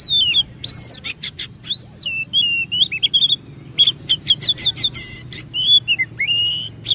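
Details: Song of an Oriental magpie-robin used to trigger long singing in others: continuous mix of swooping high whistles and rapid clicking trills, richly varied.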